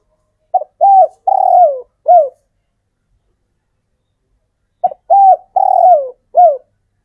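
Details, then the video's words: Spotted dove male, local bird raised in captivity from the wild, repeating its female-calling coo. Two matching phrases roughly four seconds apart: short lead note, coo, drawn-out falling coo, final short coo, with clean silence between. "Burung tekukur J4NTAN lokal manggung rapat spesialis untuk memanggil betina"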